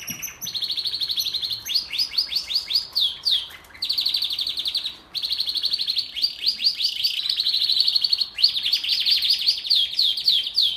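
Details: A Belgian canary sings a long, continuous song of rapid rolling trills and chattering phrases, bright and high, with only brief pauses between tours; the song is played to prepare females for breeding.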